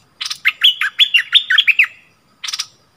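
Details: A decoy bulbul in its cage, singing to wild birds on 28 February 2021, delivers one rapid phrase of about eight slurred whistled notes after clicky onsets, then a lone burst of clicks.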